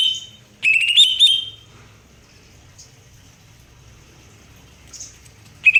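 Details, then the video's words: Greater green leafbird giving one rich whistled phrase with rapid inflections, followed by soft scattered notes and a brief phrase starting again at the end. "cucak hijau"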